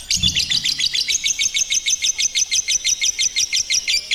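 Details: Rapid, regular high-pitched chirping from a lovebird in long ngekek song, roughly three to four sharp notes per second, loud and sustained throughout.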